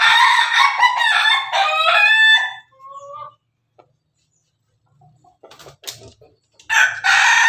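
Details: Pelung Bangkok rooster eating with hens, crowing in a choppy, stuttering run of short pulses like laughter, tailing into two thin whistled notes; after a quiet gap with faint scratching, a second loud crow begins.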